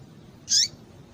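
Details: Single sharp, high chirp from a female double-collared seedeater, a call meant to rouse males into singing, lasting a fraction of a second against faint steady background noise.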